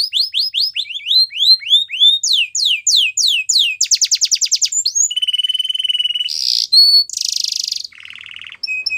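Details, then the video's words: Training song of a yellow canary: rapid rolls of rising-falling whistles, a fast rattling trill, then sustained pure whistled tones, harsh buzzy bursts and a low churring phrase. "Yellow Canary Singing | The Best Canary Training Song"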